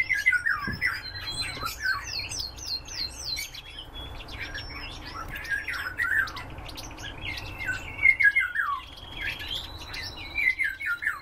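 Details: Common redpoll, likely kept as a cage bird, giving a busy twittering series of short buzzy and trilled notes that rise and fall, with rapid chattering bursts, over faint low background hum.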